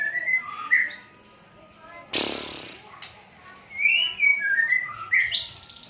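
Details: White-rumped shama tutor song used to train other birds: clear whistled phrases, some sliding up and down, broken by a sharp loud crack midway, with faint background music.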